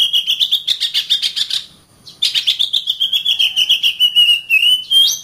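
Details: Oriental magpie-robin singing as a tutor recording for other birds: a quick rattling string of notes, a short break, then a long trill gliding slowly downward before a final upward flick.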